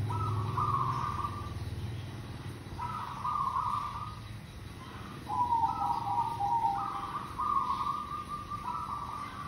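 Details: Local zebra dove song used as a lure: low, rough, trilled cooing notes held for a second or more, repeated in a steady series over a constant background hum.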